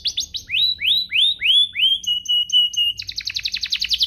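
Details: Canary song used to get other canaries singing: rising swept whistles repeated briskly, then a level piping series, breaking into a rapid high-pitched rolling trill.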